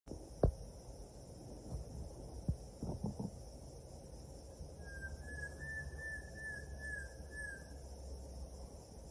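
An antpitta gives a three-second run of quick, hollow whistled notes, steady and slightly rising, over a constant high insect drone, low rumble and a few knocks.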